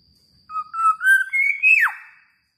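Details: Philippine Black-naped oriole, locally kilyawan, newly kept as a pet, sings a rich liquid whistle that rises through several held notes before swooping steeply down; quiet background otherwise.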